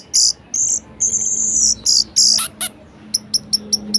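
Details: Orange-headed thrush singing a lively varied phrase intended to stimulate lazy birds: long, loud, very high buzzy strokes, then a row of short sharp high pips spaced evenly.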